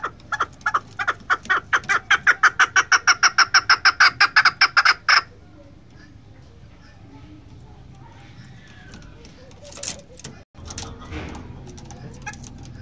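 A female chukar gives about five seconds of harsh, clucking notes, roughly three each second and growing stronger. Then near silence with a few faint knocks.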